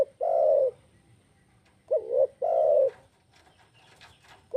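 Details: Spotted dove call played to lure birds and get them calling. A long low coo, then a short wavering note and another sustained coo, followed by quiet with faint background rustling.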